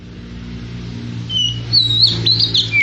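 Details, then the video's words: Oriental magpie-robin singing: a few thin whistles, then a quick loud twisting phrase ending in a downslurred note, over a steady low mechanical hum. "KacER Edan auto kicau"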